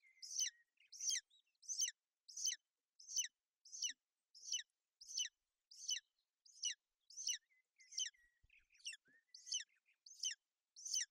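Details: Female golden eagle and chick on a nest in Bucovina, the mother shielding the chick from inclement weather, 28 May 2021; a long run of about sixteen piercing, falling chirps, evenly spaced, with soft whistles underneath.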